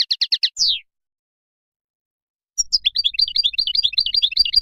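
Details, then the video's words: A Moroccan goldfinch gives a quick burst of five chirps and a downslurred whistle, falls silent for nearly two seconds, then resumes with a steady, bubbling run of rolling twitters. "تغريد مقنين مغربي"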